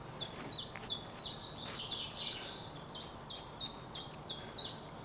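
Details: A chiffchaff, a summer visitor from Africa, sings from a treetop in Scottish coastal woodland on a misty, sea-fogged morning at the end of March as rain begins. Its bouncing two-note song alternates steadily about three times a second over faint hiss.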